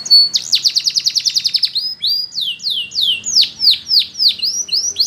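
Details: Spanish Timbrado canary song for teaching canaries to sing. A rapid, even rattle of about twenty notes is followed by loud, high, falling whistled slurs, spaced about half a second apart.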